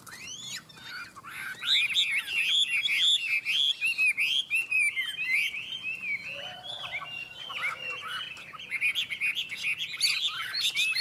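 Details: Two caged Chinese hwamei singing in competition; a long, energetic run of bright slurred whistles and rapid notes, with some lower warbling in the middle.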